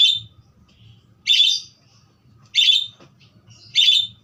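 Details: Budgerigar giving three short, bright chirping bursts spaced about a second and a quarter apart, with faint low hum underneath.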